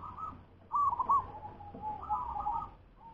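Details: Local wild zebra dove cooing in soft trilled phrases, a short rippling burst followed by a longer purring coo, over a steady low background hum.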